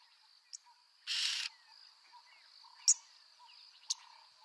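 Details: Yellow-billed oxpecker (Buphagus africanus) in Kruger National Park giving a single harsh, hissing rasp of about half a second, with a few sharp ticks, over a steady high insect whine.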